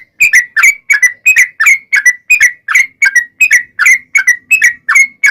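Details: Yellow-vented bulbul (trucukan) in lively gacor form, singing a long ropel song used as a lure to make other trucukan sing back: bright bubbly whistled phrases repeated about three times a second, even and loud, with no other sounds.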